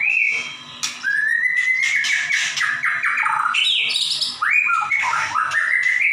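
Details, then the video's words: White-rumped shama in loud singing form, used as a tutor recording for other shamas: clear sliding whistles and varied warbled phrases over steady hiss and broadband noisy bursts. "Murai batu gacor nembak"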